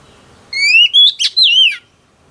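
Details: Female oriental magpie-robin, caught from the wild, sings to excite males: one short phrase of a bright rising whistle, a sharp accent and a drawn-out, downward-bending whistled note.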